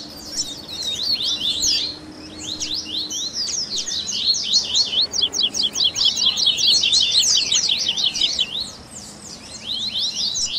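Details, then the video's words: Warm-up chorus of Double-collared seedeaters played to get a caged bird singing: high chirps, then a fast run of evenly repeated sharp notes in the middle, then a pause before more chirping. "Baderninha de Coleiro Top FAÇA SEU COLEIRO CANTAR em 30 Minutos - Esquenta de Coleirinho!"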